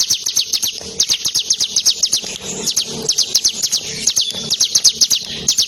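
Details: Tame bar-winged prinia, played with using fingers, bursts straight into song: a rapid stream of sharp, high, slurred chips, roughly four per second, continuing without pause.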